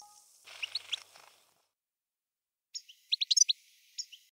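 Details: European goldfinch singing: a soft burst of a few chirps, a pause, then a quick cluster of sharp, high twittering notes followed by a lone chirp.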